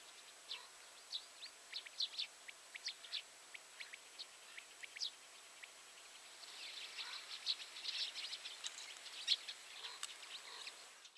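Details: Eurasian tree sparrows calling: a series of short, sharp chirps given singly and in small bursts, busier and more overlapping in the second half, with steady background hiss.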